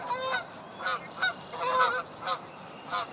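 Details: Morning in a local park: a Virginia rail calls with rough, honking, harmonic bursts in an irregular run of about seven notes, some doubled, rising loudly above steady faint background noise.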